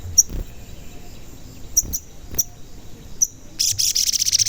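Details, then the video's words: Sogon that often calls 'cuit cuit', used to lure other sogon into song: scattered sharp high chirps every second or so, then a loud, quick, buzzy pulsed trill starting near the end. "Pancingan Sogon Agar Bunyi dan Emosi, Sogon Bahan Auto Nyaut"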